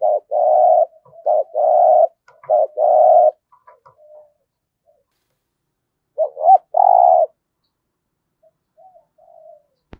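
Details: Decoy spotted dove giving 'giọng thổ' coos: a fast run of thick, drawn-out hoots with brief clipped notes between them, then a pause before a rising note and a final long hoot. Soft faint notes fill the gaps.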